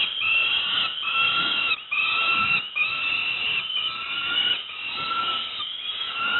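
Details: Rasping, whining screams from young peregrine falcons during a breakfast feeding at Moszna, Pruszków, Poland, flowing nearly unbroken, with slight dips between cries roughly every second.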